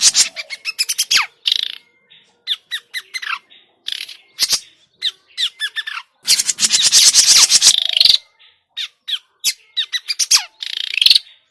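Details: Grey-cheeked bulbul sounds used to lure birds into traps, noisy style: dense harsh chattering bursts and downslurred squeaks throughout, with a long rasping rattle midway.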